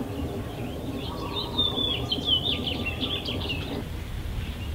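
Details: Saffron finch at West Loch Community Shoreline Park, Pearl Harbor, Oahu, Hawaii: a run of high, bright chirps and short twittering notes over steady low traffic-like rumble and outdoor noise.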